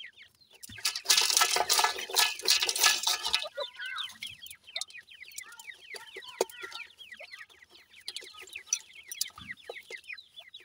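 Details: Grey francolin chicks (Sindhi) feeding: a loud rush of broadband rustling opens, then a continuous chatter of faint, high, downslurred cheeps from many chicks.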